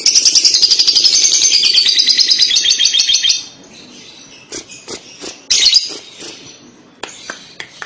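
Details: Paud lovebird giving a kekek chatter in response to a playback: fast run of shrill, buzzy repeated notes for about three seconds, then stops, leaving scattered clicks and knocks.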